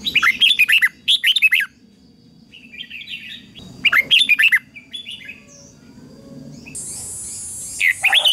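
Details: Song of a red-whiskered bulbul singing in competition to train other birds: loud warbled phrases repeated about every two to three seconds, quieter twitters between, and a brief high hiss near the end.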